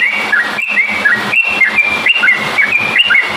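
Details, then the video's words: Yellow-vented bulbul song used to provoke other bulbuls to sing: clear whistled phrases, each a short level note dropping to a lower slur, repeated about every half second over steady background hiss. "kicau burung trucukan gacor cocok untuk pancingan trucukmu"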